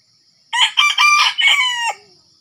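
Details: Red junglefowl crowing in Sumatra while wild birds are lured with a decoy: a loud, harsh, broken crow of four rasping bursts, the last drawn out and dropping at the end, over a steady high insect drone.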